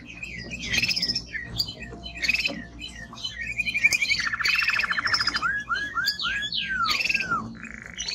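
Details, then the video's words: Male timbrado canary in strong song, mixing varied chirps and slurred notes with a fast rolling trill and a run of downward-curving whistles. "Canary singing Strong Bird - ذكر كناري تغريد نار"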